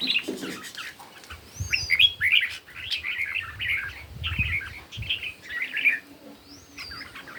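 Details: Competing red-whiskered bulbuls in morning song, giving lively bursts of whistled, slurred notes in rapid succession, with an occasional higher thin upslurred whistle and soft low rumble beneath.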